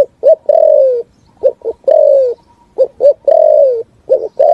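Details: Full 'thúc gù' cooing song of a spotted dove ringing through forest: repeated phrases of two quick low notes and a long coo that drops in pitch at the end, about three phrases in close sequence.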